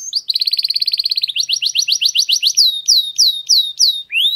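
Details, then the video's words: In a garden, a canary opens with a buzzy rattling roll, shifts into fast repeated high chirps, then slower downward-sweeping whistles and a final rising swoop. "Canario cantando en el jardín"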